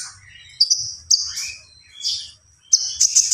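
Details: Common iora giving short, high whistled notes in separate bursts, each a sharp buzzy chirp followed by a held tone, with quiet gaps between phrases.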